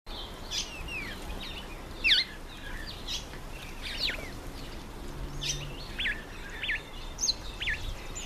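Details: A Karoo thrush (Turdus smithi), apparently agitated around its bath, gives short, sharp, high chirps and thin down-slurred notes, scattered irregularly, over a steady outdoor hiss.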